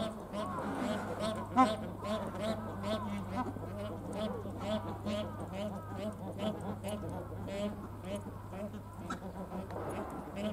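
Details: Bar-headed geese at Tama Zoological Park, Tokyo, Japan, give a dense, overlapping chorus of nasal honks throughout, over a steady low hum and faint background voices.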